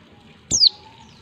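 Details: Female white-eye calling to stir males into answering: one sharp, very high, thin note sliding steeply downward, lasting about a fifth of a second, over a quiet background.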